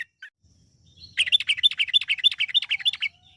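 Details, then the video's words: Yellow-vented bulbul, recorded as a lure to make birds sing in a lively, long, rapid style. After a faint note and soft low rumble, a continuous bubbly run of quick chirping notes lasts about two seconds. "PANCINGAN TRUCUKAN AGAR BUNYI burung TRUCUKAN GACOR ROPEL PANJANG"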